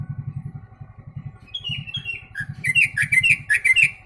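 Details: Yellow-vented bulbul singing a song that imitates the sooty-headed bulbul: after a low rumbling engine-like throb, bubbly, warbled notes repeat quickly and climb into a run of liquid phrases in the second half.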